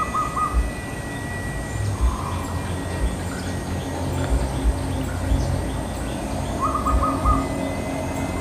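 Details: Wild local zebra dove from Central Java, one of a pair calling back and forth from yard trees on a sunny morning. Short clustered bursts of mid-pitched coo notes at the start and again near the end, with a quieter note between, over background rumble.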